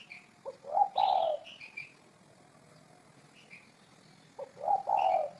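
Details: Two brief bursts of spotted dove cooing, a quick stuttering lead-in followed by a fuller low coo, separated by a pause filled with high chirps of other small birds.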